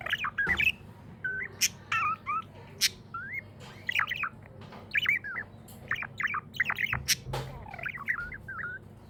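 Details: Pet budgie chirping happily in a lively sequence of quick squeaky warbles and twitters, many clicks scattered through, low hum in the background.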